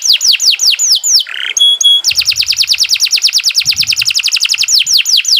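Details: Canary in long, continuous 'gacor' song, used as a master recording to coax and train other birds: bright descending whistled sweeps repeated quickly, a short buzzy burst and two pure tones, then a fast, even run of repeated notes.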